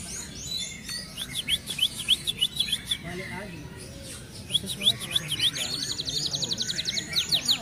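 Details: Near moulting, a contest-winning F1 canary delivers fast, dense 'speed rapat' song: bursts of quick zigzag notes, pauses, then a long rapid high trill, over steady background hum.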